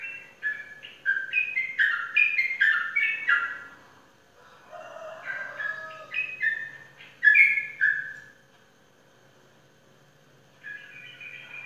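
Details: Prize-winning caged Sooty-headed bulbul from Indonesia in a lively burst of repeated, bubbling two-note phrases, about two per second, then a lower gurgle, a loud sharp phrase, a pause and a quieter restart.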